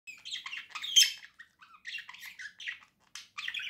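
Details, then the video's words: Two pet budgerigars, a pair kept indoors, singing cheerfully together: dense chattering warble of buzzy chirps, squeaks and short whistled notes in rapid bursts, with brief pauses between phrases. "Весёлое пение волнистых попугайчиков"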